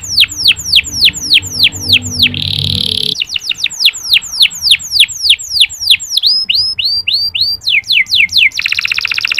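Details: Canary singing a clear, long song meant to stimulate reluctant male canaries: rapid repeated downward-swept whistles broken by short buzzy rattles, ending in a dense trill, with faint low background hum.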